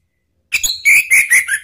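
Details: Orange-headed thrush, a male, sings in a lure recording meant to coax silent birds back into song: a quick string of four or five loud, slurred whistled notes, each slightly lower than the last.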